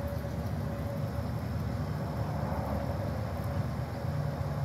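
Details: A steady low mechanical hum, like a nearby engine or vehicle idling, runs throughout with a faint constant tone and no other distinct sounds.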